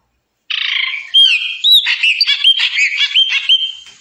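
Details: Chopi blackbird song opening with a harsh buzzy note, then a tumbling run of liquid whistles and rising slurred notes, loud and continuous.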